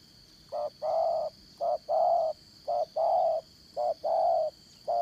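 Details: Spotted dove used as a decoy for 'dán cổ' trapping, with a 'Đồng Son' style voice: low paired coos, a short clipped note then a longer drawn note, about five pairs in five seconds over steady high insect buzzing.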